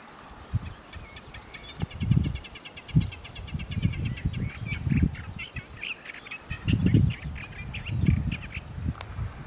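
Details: A free Olive-tree warbler (Hippolais olivetorum) singing from a treetop in Turkey on 10 May 2013 gives a steady, grating chatter of rapid harsh notes without pause, over heavy low wind rumble and thumps.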